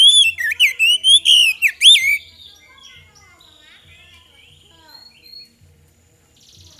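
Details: Magpie-robin singing as a lure to draw responses from other birds, a rapid burst of loud looping whistles and sharp chirps over two seconds, then a long quiet stretch of faint thin tones and low repeated thuds.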